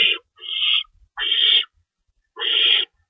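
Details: Owls at their nest during feeding time, night of March 25, 2012, with two rabbits as stored prey: four short, harsh hissing screeches separated by brief silences.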